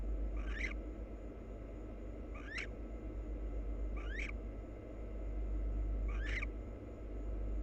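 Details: Two wild barn owls preening and nuzzling each other: four brief, raspy upward-sweeping chirps at roughly two-second intervals against constant low background hum.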